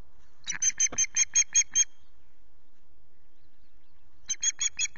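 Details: Osprey calling from its Loch Garten nest during repeated intrusions, 19 April, morning. A run of eight evenly spaced, high piping whistles is followed by silence, then a second, shorter burst of the same notes.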